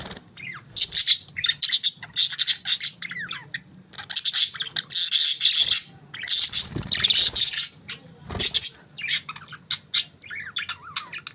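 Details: Several budgerigars chirping in the morning: dense overlapping harsh chatter and warbling bursts, with short rising and falling whistled notes between noisy squawks, pausing briefly now and then.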